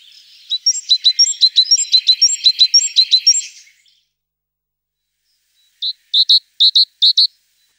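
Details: A tit delivers a fast chain of high clipped notes for several seconds, falls silent, then gives a few louder paired, sharper notes. Quiet otherwise.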